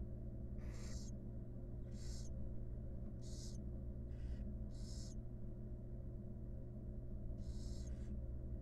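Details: Wild barn owls, mother grooming her babies in a nest box: roughly seven breathy screechy hisses, about one per second, then a pause before a final burst, with low background hum.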